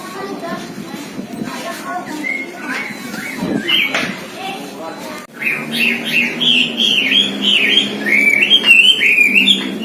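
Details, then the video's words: Robin mastered with the songs of all songbirds: after murmured talk, a rapid run of bright whistled and warbled notes rising and falling, dense and continuous over the last half. "si Robin masteran semua burung kicau"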